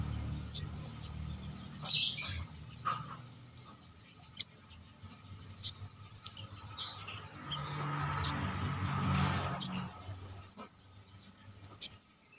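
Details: Captive brown-throated sunbird, kept as a cage bird and being trained for confidence and a fighting temperament; high, sharp, thin chips, each with a quick upward flick, given singly at uneven gaps over twelve seconds, with soft low rumbling and a brief hiss behind.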